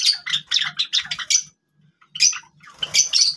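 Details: Java sparrows while playing with grass, a quick series of sharp, high chips and tinkling notes, then a pause of about a second before more chirping resumes.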